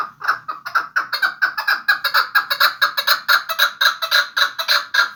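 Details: Chukar partridge from Vanj delivering a loud, continuous string of clucking chuk notes, about two per second, each rough and rich in overtones, steady in pitch throughout.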